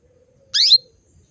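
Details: Female canary giving a single loud, brief chirp that sweeps steeply upward, a call meant to bring males into breeding condition. A faint steady tone runs in the background.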